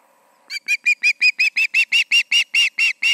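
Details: Osprey pair at their nest in the evening of 20 August 2019 around 7pm, Charlo, calling: a rapid run of loud, clipped piercing notes, about three per second, growing stronger, after a low steady hum.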